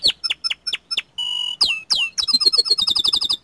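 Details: Vigorously singing young canary, small standard type: five separate sharp chirps, a steady flat buzzing tone, two loud down-swept notes, then an accelerating rattling trill.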